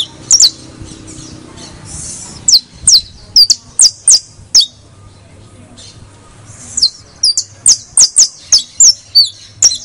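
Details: Criollo canary singing: after a burst of noise, a series of sharp downward-slurred chips and short whistled notes arrives in quick succession, speeding into a rapid run near the end.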